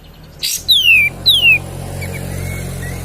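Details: Cream-vented bulbul lure song meant to stimulate other birds: after a brief noisy burst come two strong whistles, each gliding downward, followed by faint soft notes over low background hum.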